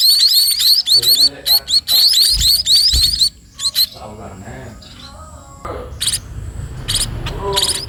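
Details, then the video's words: Sparrow chicks being fed by a parent: bursts of high, thin, rapidly repeated chirps in quick runs, then a quieter stretch with faint murmurs and low rumbling before more sharp chirps return. "anak burung pipit di beri makan induk nya"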